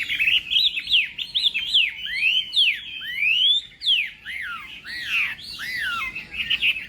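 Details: Chinese hwamei training its voice in the morning for contest singing, bold sweeping whistles that swoop up and down in long slurs, about one phrase every second.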